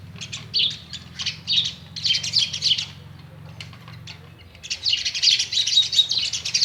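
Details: Indian myna kept at a home, chirping while watching a mirror: bursts of harsh, scratchy chirps in quick clusters, a quiet gap mid-way, then a long dense run of chattering notes.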